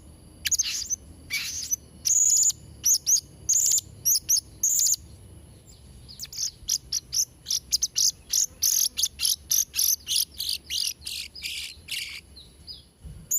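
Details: Shrill chattering song of a Blue-crowned hanging parrot for tutoring young birds: loud high chirps in groups, then a long, rapid series of short sharp ticks repeated several times a second.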